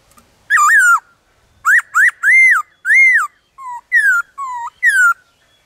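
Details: Black-throated laughingthrush in the wild singing a varied forest song: a twisting whistled note, then a string of arched, ringing whistles and lower downslurred notes, about nine in five seconds, against a silent background.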